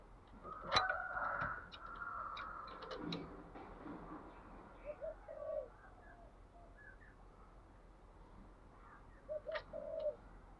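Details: Spotted dove cooing in the thúc gù style, with short, low, hollow coo phrases near 5 and 9.5 seconds over steady background hiss. Earlier there are sharp clicks and a broad rustling noise.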